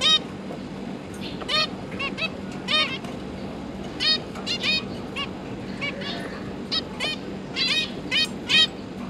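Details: Zebra finch parents and three juvenile young, recorded 31 October 2022 while the adults fed the fledglings; many quick nasal, harmonic beeps scattered irregularly through the clip against a constant low background hum.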